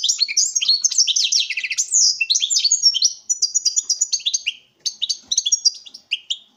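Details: Captive breeding male European goldfinch singing to a female; loud rapid twittering song full of trills, liquid chirps and buzzy notes, a brief pause near five seconds, then more chirped phrases.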